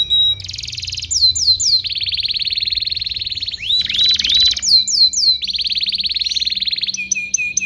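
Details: Masteran song of a canary for teaching young birds: dense buzzing rolls lasting over a second each, alternating with clear downward-swept whistles and short hooked notes, all high and piercing.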